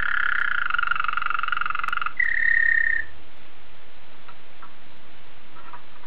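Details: Belgian Waterslager canary delivering a full, bubbling rolled tour and a short bright whistle over about three seconds, followed by near silence with a few faint soft notes.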